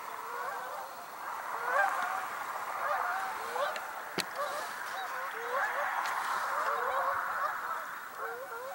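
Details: A flock of Canada geese flies past over the Niagara River on November 18, 2022, giving a steady chorus of overlapping nasal honks, several each second, some rising at the end.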